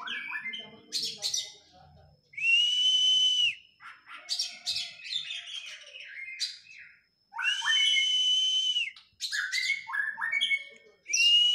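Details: Oriental magpie-robin in post-moult training, singing long, steady, clear whistles lasting about a second each, interspersed with quick chirps and rising and falling notes.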